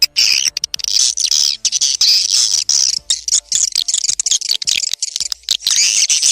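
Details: Swiftlet lure call played by Indonesian swiftlet farmers to draw birds into nesting houses, heard as a near-continuous stream of shrill, buzzy chattering and squeaky chirps, broken by short pauses.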